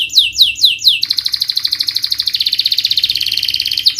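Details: Canary song played to coax silent or stressed birds into singing: four loud descending sweeps, then a rapid, even high trill of about ten notes per second.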